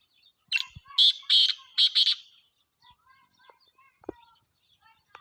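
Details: Black francolin calling: a harsh, grating phrase of about five buzzy notes given in quick succession, then faint scattered chirps and a few soft clicks in an otherwise quiet background.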